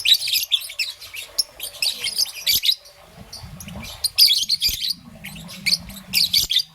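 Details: Morning chirping of a young peach-faced lovebird, green and yellow: dense bursts of piercing, raspy high chirps separated by short quiet gaps, with a soft low hum in the pauses.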